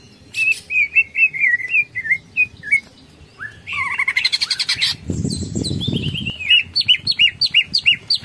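Greater green leafbird giving a long chattering song. Bright whistled notes repeat about three per second, broken by a rapid buzzy burst, with a low rumble in the background.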